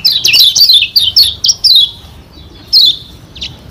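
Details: Lombok white-eye (kecial kuning) pouring out a fast run of high, thin chirps and twittering notes, then a pause before two more bright phrases, used as a lure to provoke rival birds to sing.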